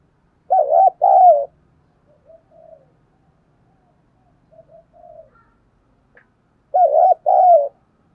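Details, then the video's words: Spotted dove cooing to stimulate a decoy bird, noted for its fine voice; two phrases of quick wavering notes ending in a drawn, falling coo, with soft faint cooing in between. "chim cu gáy kích bổi nhanh nổi mỗi ngày, giọng hay"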